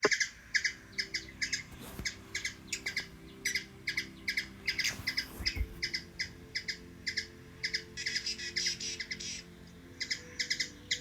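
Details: Hummingbird in Washington DC, USA, giving short sharp double chips repeated rapidly for eleven seconds, some runs becoming faster chatter, over a faint steady low hum.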